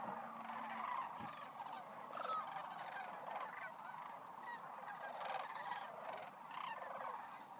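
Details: Flock of sandhill cranes at Monte Vista National Wildlife Refuge giving a continuous wall of overlapping rattling, bugling calls, swelling and fading in loudness, with a brief low thump near the start.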